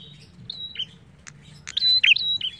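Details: A prinia gives a loud run of high, thin whistled notes and sharp chirps, some held briefly level, others flicking up and down, over faint background hum, used as a lure to prompt singing.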